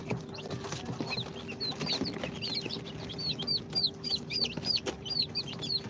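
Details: A brood of chicks hatched in an incubator, two days old, of Sultan, Golden Sebright, Cochin and booted breeds, chirping in quick high down-slurred peeps that build into a busy chorus, with a steady hum underneath.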